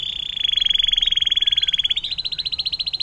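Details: Canary performing the long 'air mancuran' (water fountain) song, a tutor recording for shamas, green leafbirds and long-tailed shrikes: a rapid rolling trill of evenly pulsed high notes, shifting slightly higher and more spaced after two seconds.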